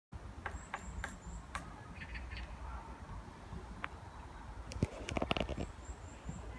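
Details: Woodpecker tapping on wood in a city park, sharp, irregular knocks, a few early on and a quicker cluster near the end, over low city rumble and faint high bird calls.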